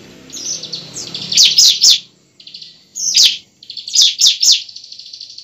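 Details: Bar-winged prinia fighting song, used as a lure to get a young bird singing: bursts of sharp, high chipping notes in quick clusters of three to four, with short buzzy trills between and a soft low rumble early on.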